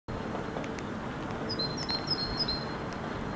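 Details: Great tit (Parus major) monotonous song in Helsinki, Finland, February 2016: a simple core element repeated 4-5 times, thin, high whistled notes alternating between two pitches, bird unseen, against steady low traffic rumble.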